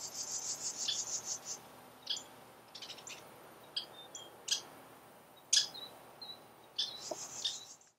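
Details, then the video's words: Western Kingbirds mob a Great Horned Owl near a water tank in July 2015, giving a rapid, high, sputtering twitter, then sharp scattered kip notes and squeaky bursts over about eight seconds, in otherwise quiet surroundings. "Western Kingbirds fight an Owl"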